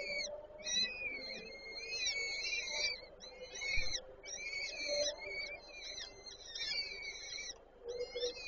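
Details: Nest of peregrine falcons, Warsaw Żerań, 8 May 2023: the female feeds her chicks. Dense chorus of shrill, wavering whistled notes, overlapping and unbroken, over a faint low background murmur.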